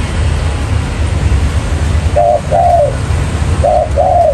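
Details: Spotted dove used as a lure to trap wild doves: after a stretch of low rumbling noise, two soft two-note coo phrases, a short note then a longer falling one.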